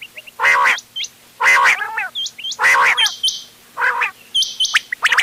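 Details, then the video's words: Mixed quail calls for hunting, 31 October 2025. Four loud nasal, rasping bursts roughly a second apart are interleaved with quick hooked, upward-flicking whistles and a brief twangy stacked note. "بٹیروں کی مکس آواز quail bird sounds for hunting bater ki awaaz"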